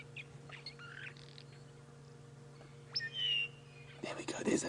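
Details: Mosque Swallows at sunrise in the African bush, basking in early morning light and swooping, give a few soft, scratchy chirps, then one louder, drawn-out high note; a steady engine hum runs underneath and a rustling burst ends it.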